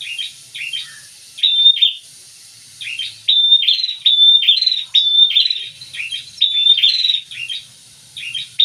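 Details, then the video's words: Prinia pair in full song: a near-continuous stream of high, piercing chirps and short bright whistles, grouped into quick bursts roughly every half second, with almost no background noise. "Prenjak Sepasang Gacor semua"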